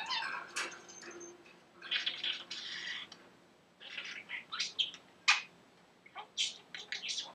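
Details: Talking pet budgerigar, known for learned phrases and laughter, producing a rapid run of scratchy warbled chatter and speech-like bursts, with sharp high chirps and brief pauses between phrases, indoors.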